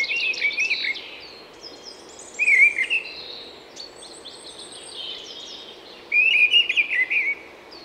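European Goldfinch: bright, tinkling twitters and liquid chirps in quick bursts, with a louder run near the middle and another toward the end.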